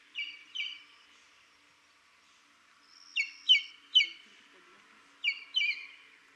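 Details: Buff-crested Bustard, Buffalo Springs National Reserve, Samburu, Kenya, calling in bursts of sharp, falling, harmonic-rich notes: a pair, a two-second pause, then a run of three, another pause and a final pair, in quiet surroundings.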